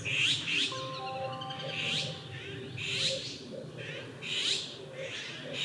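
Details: Harsh, high, rasping bursts repeat about once a second from a male Japanese sparrowhawk with prey, calling the female in park woodland in May 2021; a faint steady tonal hum and soft low notes sit underneath.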